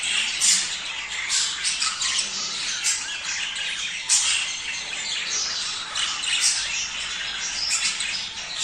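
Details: A budgerigar flock sound to encourage mating: lively, high twittering and chirps with frequent sharp accented notes over a constant background of overlapping chatter.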